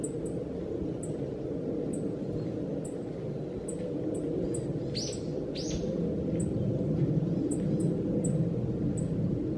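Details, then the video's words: Black-faced bunting in winter, December 2014, uttering sharp, very high, short tsip call notes at uneven intervals throughout. Two louder, broader downward-sweeping calls from another source interrupt midway, over constant low rumbling noise. "アオジ "Emberiza spodocephala" の鳴き声。（地鳴き）"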